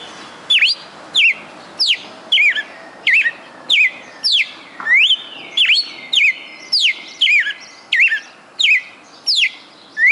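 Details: A captive galo-de-campina, the red-cowled cardinal, in Fortaleza, Brazil, delivers a song of more than twenty perfect notes: sharp whistled slurs repeated steadily, roughly three every two seconds, with no pause, ringing and clear.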